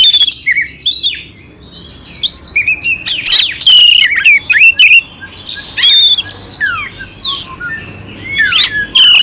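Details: Song of an oriental magpie-robin, clear with rough elements, intended to stir up another magpie-robin: a varied stream of bright whistles, steep slurs and harsh notes, loudest in the middle.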